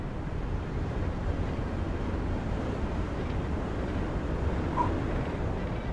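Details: Steady low rumble of wind or engine noise fills the whole stretch, with no animal voice rising above it.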